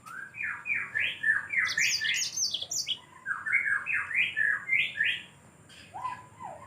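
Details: Yellow-fronted canary giving a lively song of repeated slurred, rising-and-falling whistled notes in a middle register, broken by brief higher twittering, then a pause and two lower downslurred notes.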